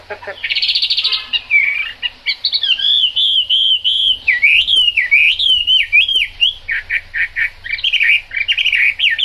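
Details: Chinese hwamei singing in the rain: a rich, fast run of varied whistled notes, trills and rapid buzzy phrases sliding up and down, with many short notes packed closely together and no other clear sounds.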